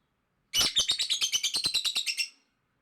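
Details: Lovebird giving a loud, strong burst of song: about fourteen rapid, harsh, scratchy chirps packed into two seconds, evenly spaced and high-pitched, in a quiet indoor setting.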